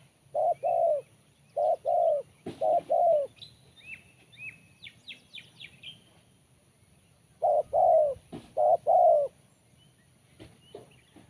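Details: Spotted dove with a crisp, sharp voice. Paired and tripled mellow coos open the recording and return near the end. In the quiet gap between them, a small bird gives a short run of thin chirps.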